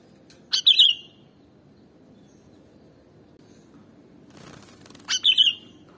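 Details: Sooty-headed bulbul (kutilang) sound used to lure or provoke other birds: two short, bright whistled phrases, the first near the start and the second about four and a half seconds later, with quiet background between them.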